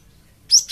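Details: Brief Java sparrow lure call meant to make other birds answer: after silence, two quick, sharp, high chirps rising in pitch.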